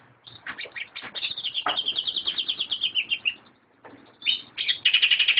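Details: Caged greater green leafbird singing: a long rapid trill of bright chattering notes that drifts slightly downward, a short silence, then renewed loud quick chirps and a fast whistled flourish.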